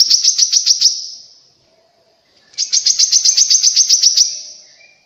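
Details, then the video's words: Grey-cheeked bulbul, a recording meant to set kept and wild birds singing: two bursts of rapid, high, ringing chirps, each a steady train of about four notes a second, with a short silence between. "PANCINGAN BURUNG KORLAP BAHAN DI JAMIN IKUT BUNYI"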